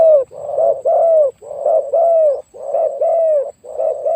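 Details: Spotted dove used as a decoy to lure wild doves, noted for a very deep voice; loud low hooting coos in grouped phrases, each a short note then longer drawn-out notes, with the phrases repeating roughly every second in a quiet setting.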